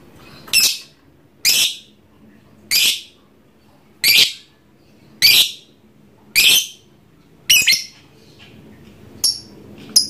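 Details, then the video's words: Pet trondol lovebird calling nonstop: harsh, raspy squawks repeated roughly every second, nine in a row, the last ones shorter and thinner, over a low indoor hum. "Suara burung Lovebird trondol ngekek terus, gacor tenan!"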